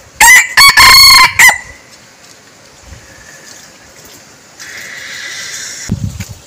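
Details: A red junglefowl decoy bird gives one loud, harmonic crow with several stuttered bursts in the first second and a half. A quiet hiss follows, then a low thump near the end.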